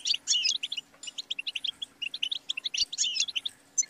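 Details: Goldfinch song: lively chains of sharp, quick chirps with short tangled buzzy trills near the start and three seconds in. A faint low hum and a single soft click are audible.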